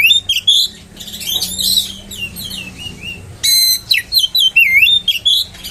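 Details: Oriental magpie-robin song played to provoke other magpie-robins into aggression: loud whistled phrases with sweeping, wavering notes and chattering bursts, a pause near the middle, then rapid repeated whistles.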